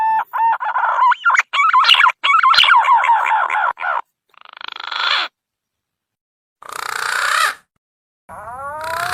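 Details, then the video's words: Green pigeon lure call for catching birds: bursts of rising whistled and warbling notes, broken by two rasping buzzy bursts, ending with upward-sweeping whistles. "SUARA PIKAT BURUNG PUNAI"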